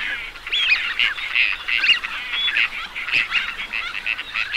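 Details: Dense chorus of teal: steady, overlapping high whistles and short nasal calls from many birds at once, with no clear gaps.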